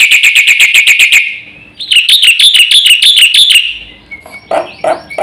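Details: Black-winged myna in energetic isian song, used to rouse other birds: a quick run of sharp, buzzy notes, a pause, then a wavering series of ringing whistled notes, ending in a few lower, rough chucks.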